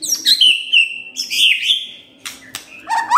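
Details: Morning white-rumped shama song meant to prompt a silent bird into answering: long sliding whistles that drop and level off, broken by sharp clicks and a final rising note.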